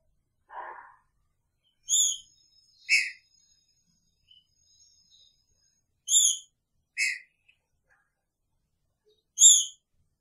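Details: Green-winged saltator housed with its female, picharro song: a low rough note opens, then loud high whistled notes with bright overtones in pairs, separated by several seconds of near silence.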